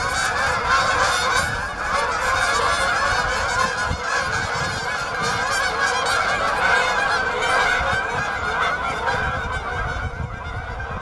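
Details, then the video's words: Canada geese at Bass Ponds, Minnesota, on November 23, 2013, looking for open water, honk continuously in a loud, overlapping chorus of nasal, mid-pitched calls, several per second; Canada goose. "Canada goose"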